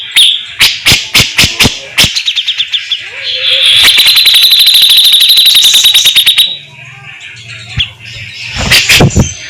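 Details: A grey-cheeked bulbul (cucak jenggot) in competition-style song with tembakan and fast besetan: a string of loud sharp cracks, a long rapid high pulsed trill for about three seconds, then quieter hum and final bursts.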